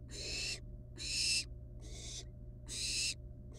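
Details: Long, drawn-out wheezing hisses from wild barn owl nestlings at the nest as they deal with a living rat. Three full hisses of about half a second each are separated by short silences, plus the start of a fourth.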